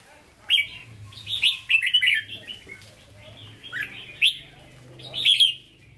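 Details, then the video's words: Caged red-whiskered bulbul with Hue-style singing: a run of clear whistled and slurred notes in short phrases, some rising steeply, others dropping, spaced about half a second to a second apart, over a faint low hum. "Chào Mào Chuẩn Giọng Huế Hót Ché"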